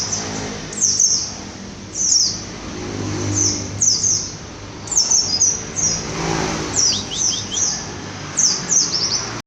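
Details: 'Pleci bruno' white-eye giving high, thin, down-slurred whistles in short clusters every one to two seconds, some broken into rapid three-note stutters, against steady low traffic noise.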